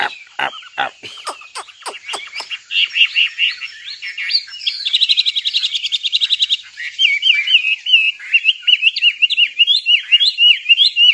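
A nightingale sings a varied phrase: sharp descending whips, then a rapid rattling trill, then rich warbled notes running on without pause.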